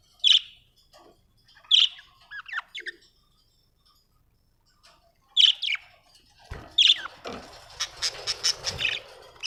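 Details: Happy budgerigar chirping: short bright chirps repeated every second or so, interspersed with softer twittering notes, followed by a busier stretch of rapid clicks, scratchy chatter and broadband rustling near the end.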